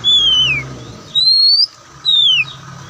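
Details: Oriental magpie-robin, white-breasted form known locally as kacer poci, singing clear whistled notes: a falling slurred whistle, then a rising one and another falling, each about half a second long with pauses between.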